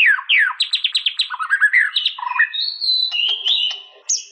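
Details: White-rumped shama song opening with quick descending whistled notes repeated in a fast series, moving into lower notes, a long steady whistle and sharp clicking trills.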